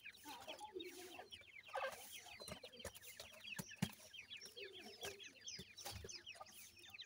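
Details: Grey francolin chicks, about seven days old, feeding. Many thin, rapid cheeping notes pour out together in a steady twittering stream, joined by soft lower chirps and occasional tapping sounds.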